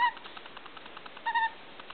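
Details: Hungry, hand-raised white-backed Australian magpie chick, roughly 1.5 to 2 months old, giving brief pure whistled begging notes, one at the start and another, slightly longer and wavering, a second later, over quiet room background.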